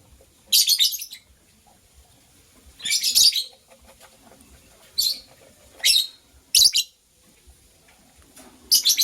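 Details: A pair of white lovebirds in the morning gives harsh, buzzy, high-pitched chirp bursts. Six bursts come about every one to two seconds over a quiet background with faint low rustling.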